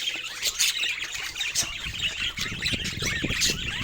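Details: Pet budgerigars playing with toys give a dense, busy chatter of high squeaky chirps and scratchy squawks, overlapping without pause, with some low thumps and handling noise underneath.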